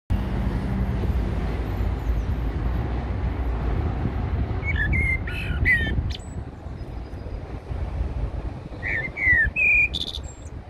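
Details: Eurasian blackbird singing at Heidelberg Castle: two short fluted phrases with squeaky high twitters, around five and ten seconds in, over a constant low rumble of traffic.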